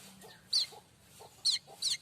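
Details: Streaked weaver (manyar kembang) singing, used as a tutor song for other songbirds: brief harsh buzzy bursts high in pitch with softer low chips between, three loud notes spaced under a second apart.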